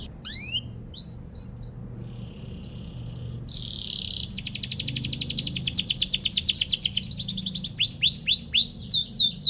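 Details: Long canary song to provoke rivals into answering: scattered soft high chirps and whistles build into a loud fast rolling trill, then strong repeated down-swept chirps.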